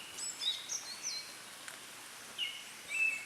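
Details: Japanese thrush singing from a treetop: short clear whistled phrases, some rising and some falling, with pauses between them. Quiet natural background.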